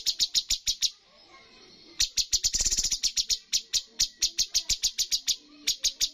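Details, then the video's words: Bulbul (cucak cungkok) in a bird contest, giving sharp, snapping chip notes in quick series, with a near-silent gap, then a rattling flurry before the steady chipping resumes. "cucak cungkok full tembakan poin tertinggi dalam perlombaan burung"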